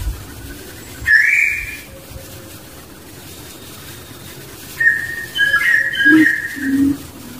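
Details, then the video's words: Wild barbet, known locally as burung takur, accompanied by its young: two bursts of high whistled notes several seconds apart, the second a quick cluster of short rising whistles, with a low hum underneath. "Burung Takur dan Anaknya di Alam"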